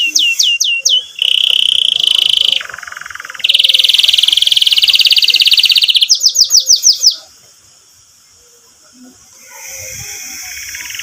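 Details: Canary song meant to teach young canaries and encourage non-singing ones: quick downslurs, a whistled trill, a long buzzy roll, then a burst of descending slurs before the song fades into quiet.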